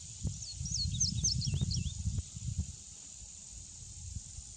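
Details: A male Indigo Bunting sings a short, bright phrase of high paired notes, some swooping down then up, lasting under two seconds, followed by quiet; a steady high insect drone and low rumbles continue throughout.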